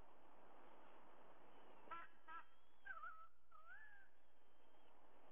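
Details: At a Sydney nest of white-bellied sea eagles, 30 September 2022 at dawn, 05:44: two short pulsed notes followed by a pair of soft, wavering tonal calls against constant background hiss.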